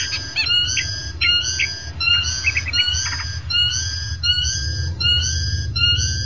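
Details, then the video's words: Long-tailed shrike song from a tutoring recording for training shrikes to sing often: clear whistled notes with strong overtones, each rising slightly, in short bursts repeated about every half second, with brief chattering notes in between and a low steady hum. "MASTERAN CENDET GACOR MANTAP"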